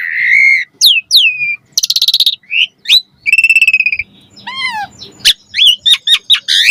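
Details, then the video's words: Asian pied starling master song with varied fills: a long whistle, slurred notes, fast rattling trills, a wavering descending phrase and a closing flurry of sharp chirps. "Pancingan Jalak Suren Gacor Mompa Isian Variasi - Masteran Suara Burung Jalak Agar Gacor Full Isian"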